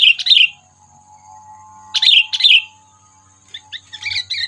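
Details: Trapping lure call of a sooty-headed bulbul, meant to rile predators: a bubbly chirped phrase, then two paired liquid notes about two seconds later, and softer scattered chips at the end.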